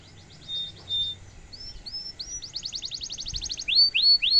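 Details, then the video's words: Actively singing domestic canary in the ornate cengkok mewah style meant to provoke rivals into answering: short high whistles, several upslurred notes, a long rapid rattling trill, then three bright descending whistles. "kenari gacor cengkok mewah bikin lawan langsung nyaut dan efektif buat masteran kenari paund"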